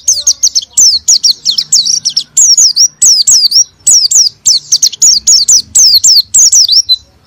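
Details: Oriental white-eye in sustained song, used to provoke a reluctant white-eye into singing; a long, fast sequence of high, thin, downward-sliding whistled notes in tight bursts, bright and close throughout.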